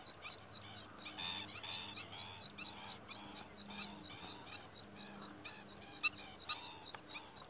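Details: An Oriental pratincole feigning injury to distract a predator and protect its young gives harsh, nasal, tern-like calls in rapid runs of about two a second, over a low hum with two sharp clicks near the end.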